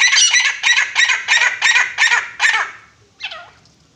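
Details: Grey francolin giving a quick series of seven harsh, clucking notes, about three a second, that fade out. A softer lower note follows after a pause.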